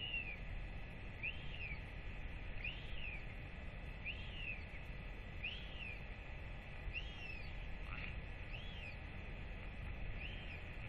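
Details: Northern royal albatross chick with its parents at feeding time, 8 October 2024; a long series of arched whistles, about one a second, over heavy wind rumble.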